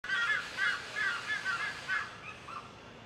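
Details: One of a pair of red-naped ibises gives six or seven harsh, nasal, honking alert calls in quick succession, fading toward the end against a faint background hiss.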